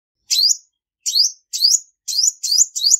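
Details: Six high, squeaky chirps from a female olive-backed sunbird, with a pause after the first and the rest coming faster toward the end. No other sounds are heard.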